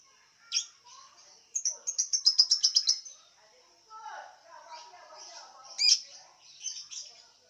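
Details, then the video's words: Contest lovebird from Singkawang, West Kalimantan, singing high squeaky chirps and a quick rattling trill of even pulses, with faint lower murmuring between phrases. "LOMBA LOVEBIRD ONLINE 20 - Aksi LoveBird G34"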